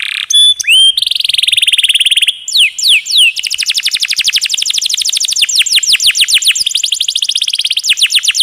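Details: Canary singing a long rolling song, the roll prized in training recordings: brief whistles lead into a sustained rapid trill, then repeated falling notes and a long fast roll.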